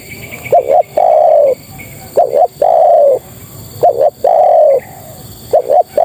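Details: Female spotted dove calling to males: four repeats of a double-note coo followed by a long warm, slightly descending coo, with faint higher chirps from another bird early on.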